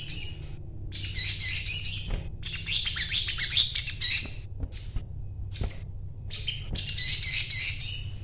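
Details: Energetic song of a sogon, or little spiderhunter: bursts of shrill, rapid chirping and chattering, separated by brief silences and sharp single notes, with a constant low background hum.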